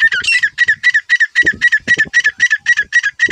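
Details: Grey francolin calling: a fast, very regular series of harsh, clipped notes centred mid-high, about thirteen in three and a half seconds, with faint low thumps beneath.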